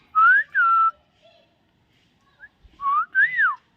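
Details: Common myna, a talking bird, gives two loud paired whistles, rising then falling, pauses, and repeats a rising note followed by an arched swooping whistle.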